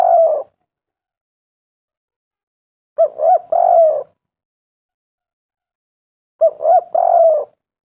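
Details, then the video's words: Spotted dove in full voice, used to coax doves into calling. The end of one phrase is followed by two complete phrases about three and a half seconds apart: stuttering short hoots, then a long, smooth, slightly descending coo. "tekukur derkuku gacor suara mantab"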